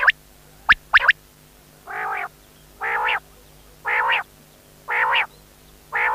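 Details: Quail opening with a few brief sharp whistles, then a steady run of harsh buzzy notes repeated roughly once a second; faint hum in the background.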